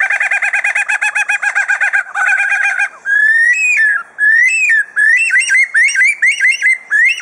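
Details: Superb lyrebird kept at Adelaide Zoo, Australia, mimicking other sounds: a dense, rapid mechanical rattle like a drill or saw, followed by loud, ringing whistled notes that rise and fall, repeated in quick series.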